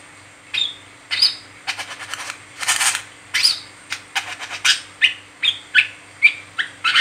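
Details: Brown-throated sunbird chattering in 'ngeriwik teler' style as a lure to set other sunbirds singing: a rapid mix of high whistled chips and scratchy rattled notes, pausing only briefly, over a low steady hum.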